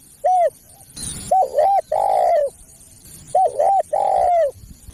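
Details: Spotted dove lure call to bring in other doves: a short coo, then two phrases of a double-humped note followed by a long falling coo, with a brief noise burst between.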